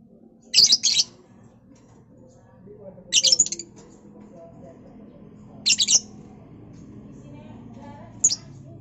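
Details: Lovebird recorded in March 2021 during vocal practice, giving four short bursts of shrill, high, scratchy chirps spaced roughly two to three seconds apart, over a faint low background hum.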